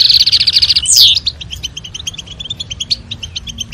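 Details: European goldfinch, female call and male song meant to stimulate mating; a loud fast buzzing trill and down-slurred sweep, followed by quieter chirps repeated roughly three times a second.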